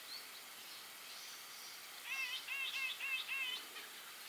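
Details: Grey-eyed Bulbul (Iole propinqua) call: a quick run of about six nasal, slurred notes in under two seconds, after faint thin chirps from another bird.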